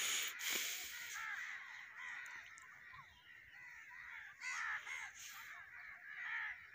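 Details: Crows calling at their roost, many birds at once: a dense chorus of harsh, overlapping caws, loud and continuous, with louder bursts near the start and again around four and a half seconds.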